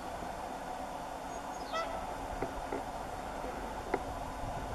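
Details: Whooper swan giving a single quick call that slides downward with bright overtones, followed by faint clicks over a steady humming background.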